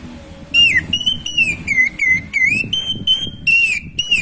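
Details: Orange-headed thrush giving a loud series of clear whistled notes, each gently rising or falling, repeated about every third of a second for nearly four seconds; song intended to stimulate birds lacking breeding drive.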